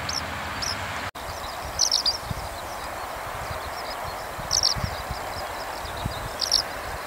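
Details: Eurasian skylark calling from within a farm field, in a cuter voice than its usual high sky song, giving short bursts of high twittering every couple of seconds over a steady rushing rumble of wind or distant traffic.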